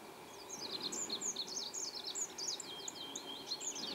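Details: Olive-backed pipit on the Ural ridge, Ural Mountains, Russia, on 19 June 2016: a quick, unbroken run of thin, very high twittering notes, some sliding down and some up, over a soft rushing background hiss.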